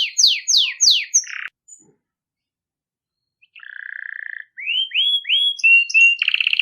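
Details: Belgian canary bell-style song for warming up and training young canaries: three descending whistles and a buzz, a two-second silence, a flat buzzy trill, then rising upslurred notes and a brief rattle.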